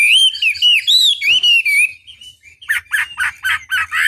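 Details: Chinese hwamei training song meant to make other birds reply: loud looping whistles rising and falling, then a brief pause before a series of harsh, rapid, clipped notes.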